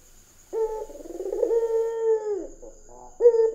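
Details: Deep sustained cooing from a vocal white Barbary dove with red eyes, used as a lure, one long level note that falls away at its close, then a brief burble and a new coo; a faint steady high whine runs throughout.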